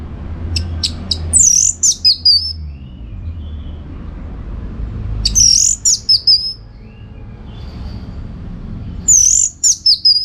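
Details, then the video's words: Orange-headed thrush (anis merah) contest training song, Bali: three similar phrases spaced about four seconds apart, each a rising-falling whistle with short chips. "Tingkat Tinggi Masteran ANIS MERAH Gacor Untuk Melatih Mental Burung Untuk Gantangan"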